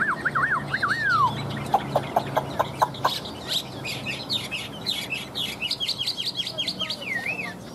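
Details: Caged Chinese hwamei singing excitedly. Opening looping whistles are followed by a burst of sharp, evenly repeated clicks, then a lively series of quick rising and falling whistles, with low background noise throughout.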